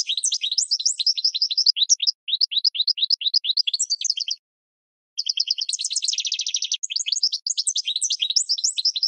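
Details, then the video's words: Caged-bird training recording of goldfinch song: rapid high tinkling twitters in long runs, one short trilled buzz mid-phrase, a brief pause, no other sounds. "Goldfinch 12h Excellent for Training"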